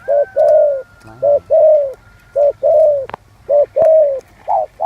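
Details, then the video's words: Spotted dove singing in the 'giọng son' voice: soft hollow coos in short-then-long pairs with gaps between, a thin falling tone early on and a few sharp clicks. "Tiếng chim cu gáy giọng son"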